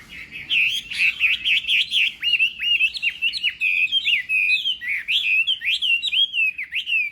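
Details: Chinese hwamei singing in a contest during morning voice training: a fast, loud run of clear whistled phrases, rising and falling slides and quick trills, repeated without pause.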